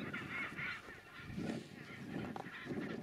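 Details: Chinstrap penguin colony on Halfmoon Island, Antarctica, 9 December 2016, with several birds giving harsh, honking brays in overlapping bursts over a low background rumble.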